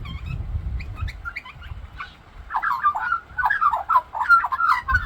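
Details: Australian magpie singing and mimicking birds: low rumbling noise and scattered sharp chirps at first, then a flowing run of fluty warbled whistles and gurgles.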